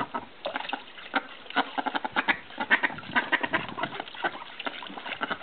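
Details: Call ducks, also called bantam mallards, in Australia while flirting and mating; a run of quick, harsh, nasal quacks at irregular intervals, about two per second, some overlapping.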